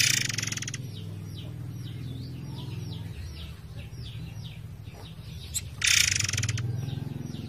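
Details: Forktail with a harsh rattling burst at the start and another near the end. Between them, a low rush of flowing water and faint, rapid, descending chirps of other birds.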